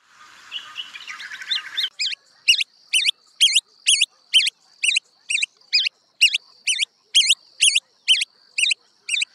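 African pygmy goose giving high, looping whistled notes, about two per second, after a brief burst of scratchy chatter.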